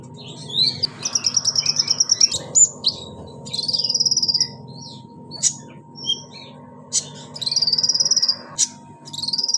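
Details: Pygmy cupwing (konin) chattering in high, buzzy trills and single sharp chips, with short rattling runs spread through the recording. A steady background hum is present.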